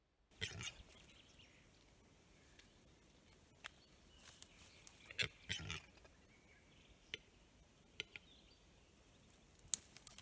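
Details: A capercaillie cock, described as angry, in Lääne-Nigula parish, Läänemaa, Estonia, in April 2021, gives faint, dry clicks at uneven intervals, then a brief wheezy, grinding rush of high notes, with quiet rustles between.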